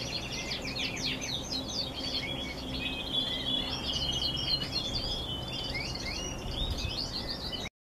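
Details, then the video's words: Canaries singing together in November, a lively stream of rapid chirps, fluttering trills and thin whistles overlapping continuously before ending abruptly, low hum beneath. "Canaries singing in november."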